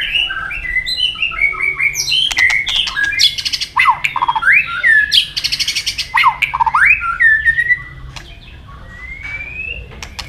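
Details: White-rumped shama's fighting song, used for training, with tail-flicking: a dense, fast jumble of slurred whistles, sweeps and harsh clicking bursts, easing into a few long smooth rising whistles at the end.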